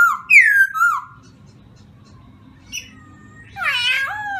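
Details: Black-throated laughingthrush giving loud rich whistles that rise and fall, then a near-silent gap with a brief note, followed by a burst of harsh, rich chattering with wavering whistles.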